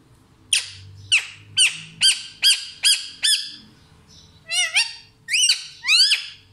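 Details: Parrot producing a quick series of seven short, sharp, downward-flicking harmonic chirps, then three longer raspy rising screeches, against faint low background hum.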